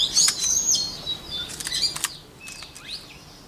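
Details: White-rumped shama song for voice training: a loud run of sharp whistles and clicky notes, then softer, thin rising and falling whistles that fade toward the end.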